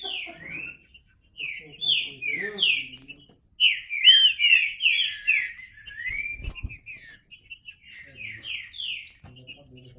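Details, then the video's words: Green-winged saltator song: clear downslurred whistles in quick series, broken by short pauses into phrases, with a soft thud near the middle and faint lower sounds. "Trinca Ferro (cantando)"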